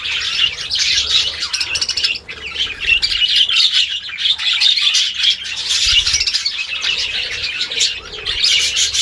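Budgerigars keep up a dense, continuous chatter of high warbles, clicks and squeaky chirps, several birds overlapping with brief low thumps of movement.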